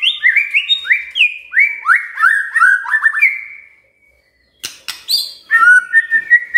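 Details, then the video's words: Magpie-robin song used to coax a silent bird into singing: a rapid series of rising whistled slurs repeated several times, a brief pause, then sharp clicks and higher whistled notes. "Pancingan Murai DIAM Agar Rajin Bunyi"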